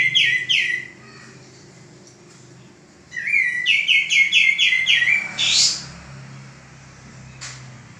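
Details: Caged male common iora song meant for training other birds: two bursts of fast repeated downslurred whistles separated by a pause, ending in a loud rising note, with faint low hum.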